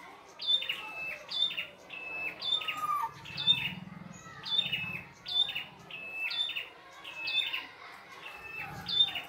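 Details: Red-headed prinia singing vigorously in the wild, with a busy repertoire: repeated high whistle-and-trill phrases, nearly one per second, with a low hum rising briefly midway.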